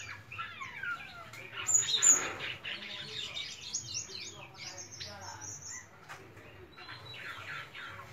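A White-shouldered starling sings a fast, jumbled run of squeaky chatters, buzzy notes and thin high whistles. A faint low hum sits underneath.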